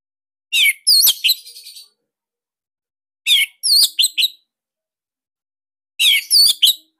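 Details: Orange-headed thrush (Anis Merah Bali) singing a unique, tight and loud style meant to coax other thrushes into song: three short phrases of sharp chirps and twittering, repeated about every 2.7 seconds.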